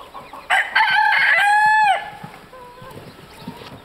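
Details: Polish chicken rooster, black and blue-laced with white crest, at Madiswil on 3 June 2012, crowing: one loud harsh crow lasting about one and a half seconds and ending in a falling drawn-out note. Softer clucks follow amid background noise.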